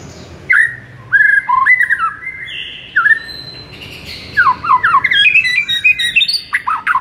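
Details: White-rumped shama master song for a silent shama: drawn-out whistles at varying pitch, then a dense, fast run of jumbled whistled and chattering notes.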